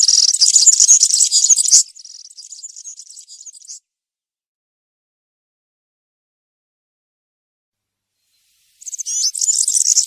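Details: Country-style (campero) song of a European serin in a wood, meant as a model for young birds: a dense, high, sizzling jingle for about two seconds, then a quieter phrase, a long silence, and a loud burst again.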